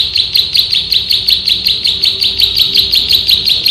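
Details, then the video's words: Continuous fast ngebren song of a male bar-winged prinia, loud high chips repeated steadily almost three per second without a break; recorded to train birds, low rumble faint underneath. "MASTERAN BURUNG PRENJAK SAWAH GACOR, NGEBREN TEMBAKAN RAPAT"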